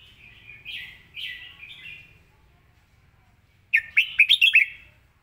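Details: Caged red-whiskered bulbul singing: two warbling phrases of slurred whistled notes, then after a pause a fast, clear burst of five or six sharp rising-falling notes; quiet background.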